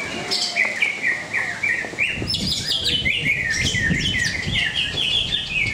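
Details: Songbird contest in Cikeas with a greater green leafbird pouring out a long, fast sequence of bright whistled chirps and upward flicks, almost continuous, with little background noise.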